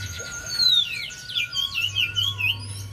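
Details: Lure song of the Javan white-eye, meant to get a quiet bird singing: a long descending whistle, then a string of short looping whistled notes about every quarter second, with a steady low hum behind.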